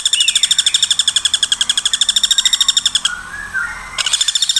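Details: Woodpecker call played nonstop as a master sound for training songbirds such as white-rumped shama, greater green leafbird and long-tailed shrike: fast, evenly spaced bright ringing notes about three per second, pausing briefly before resuming.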